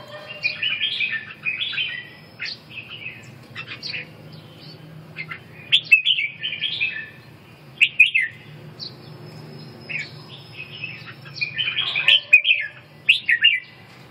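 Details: Red-whiskered bulbul singing repeatedly: bursts of chattering, warbled phrases every two seconds or so, some ending in sharp accented notes, over a steady low rumble.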